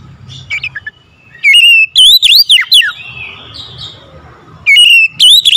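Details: Oriental magpie-robin singing in the morning: loud, clear whistled phrases sliding up and down, a long rising-falling run in the middle and another burst at the end, separated by quiet pauses with faint low hum.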